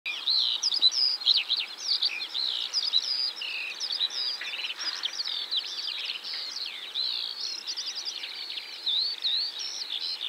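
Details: Blue-headed wagtails (western yellow wagtail) calling in Poland: a steady, overlapping chatter of high, thin chirps and short slurred notes, several birds calling at once with no pause.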